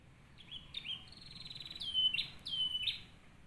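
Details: Canary song offered as a master recording for training other canaries: clear whistled notes that swoop down then flatten, spaced about half a second apart, over a soft background hiss.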